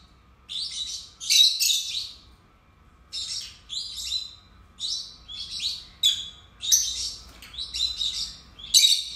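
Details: Two pet lovebirds keep up a steady run of high, scratchy chirps and squeaks in short grouped phrases, roughly one cluster per second after an opening burst.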